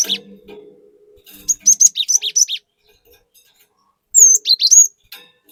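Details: A cinereous tit sings in bursts, used as a lure recording for keepers' birds: a run of rapid sharp high notes, a pause, then a swooping whistle and quick chirps, over a soft low murmur.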